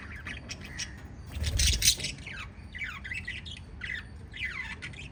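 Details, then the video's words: Lovebirds, five kept together as a family, give harsh squawks and sharp chirps. The calls slide downward and repeat rapidly, with one louder, noisier burst near the middle over a low background rumble. "Five Little Lovebirds Chirping Sounds"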